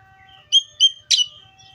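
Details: Oriental magpie-robin giving three short, loud notes, the first two clear rising-and-falling whistles and the third a harsher burst, spaced about a quarter-second apart over faint background.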